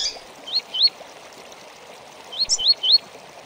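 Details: Double-collared seedeater giving tui tui song for training birds: a pair of rising slurred whistles, a pause, then a faster run of three or four similar notes, with a faint constant hiss underneath.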